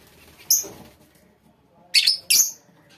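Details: A single high squeak from the lovebird colony, then a pause, then two loud, shrill, slightly buzzy calls in quick succession over a faint background hum.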